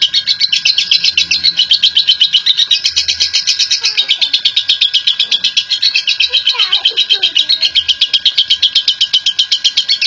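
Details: Lovebird, a national champion, delivering an extended ngekek chatter meant to stir other lovebirds: dense rasping high notes rattle on nonstop for ten seconds, with faint brief chirps and soft low sounds in the background.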